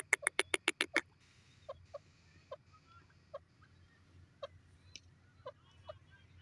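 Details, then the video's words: Grey francolin (teetar) in Punjab, Pakistan: six loud, harsh notes in a quick burst during the first second, then softer, short notes scattered at uneven gaps against a quiet background. "teetar sounds full enjoying"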